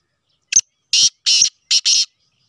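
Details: Sheedi-cross black francolin giving its rasping phrase: one clipped introductory note followed by two pairs of coarse, hissing, buzzy syllables in quick rhythm, close and loud over a silent background.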